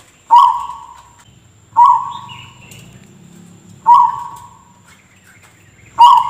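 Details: Zebra dove with an unusual voice likened to a person coughing: abrupt, harsh-onset notes, each trailing off into a steady tone, repeated roughly every two seconds, with a faint low hum underneath.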